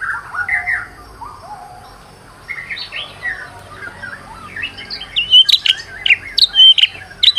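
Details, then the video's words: White-rumped shama, a stressed bird used as a lure to make another bird sing, giving varied whistled phrases, low and slurred at first, then rising into sharp high notes and quick chirps toward the end. "PANCINGAN MURAI BATU STRES AGAR GACOR BONGKAR MATERI"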